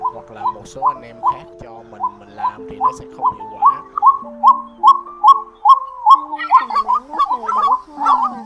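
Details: White-breasted waterhen call for luring birds into night nets in March 2024, a steady train of short repeated notes about twice a second over stepped, sustained low tones.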